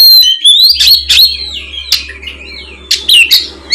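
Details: Oriental magpie-robin in full, open-voiced song, used as a lure to draw a reply from a spotted young bird in molt; loud, varied whistled phrases with sharp slurred notes and bursts of rapid chips, low hum underneath.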